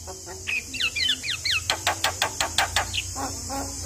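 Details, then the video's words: Lure recording of a Javan myna singing to coax a quiet bird: a string of looping whistled slurs gives way to evenly spaced sharp clicking notes, with a steady hiss behind. "Pancingan Burung Jalak Malas Bunyi Dengan Suara Jalak Kebo Masteran"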